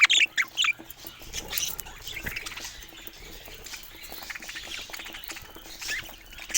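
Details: Rare budgerigar mutations kept by breeders, heard as a few loud, harsh squawks and sharp chirps at the opening, then softer scratchy twittering and a faint steady hum, ending with another sharp call.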